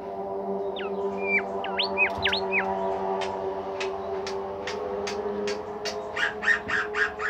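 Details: Bimoli bird singing as a training recording for songbirds: a run of quick sweeping whistled notes, then a steady series of short sharp chirps, all over a constant droning music backing.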